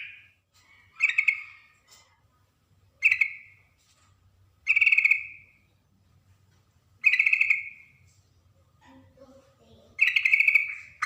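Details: Female yellow-vented bulbul calling a male: loud bubbly notes given every two seconds or so, each a short rattled burst sliding into a drawn-out warble, with quiet gaps between.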